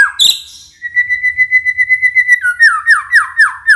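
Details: Morning lure song of a White-rumped shama meant to trigger other shamas: a sharp opening note, a fast even train of repeated whistles, then falling whistled slurs repeated about three times a second.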